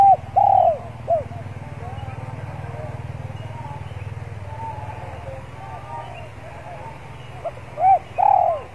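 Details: Decoy spotted dove in a yard warming up before singing, giving pairs of loud arched coos at the start and end, over a steady low engine hum.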